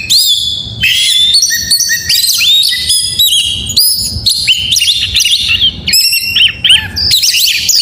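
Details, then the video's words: Morning song of an oriental magpie-robin, a fast, varied stream of high whistles, upslurred and downslurred notes and short chattering trills, delivered without pause and loudly close to the recorder. "Suara Burung Kacer Di pagi hari GACOR MEWAH...‼️Bikin Kacer Lain ikut Bernyanyi"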